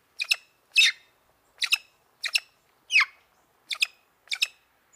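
A black-throated magpie-jay gives harsh, raspy notes, some doubled, about seven in five seconds at an uneven pace, against a quiet background.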